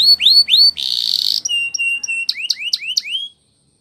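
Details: A canary sings a Spanish Timbrado training song, a bright, high series: rising whistled notes, a brief harsh buzzy stretch, steady level tones, then quick upswept chips repeated several times a second.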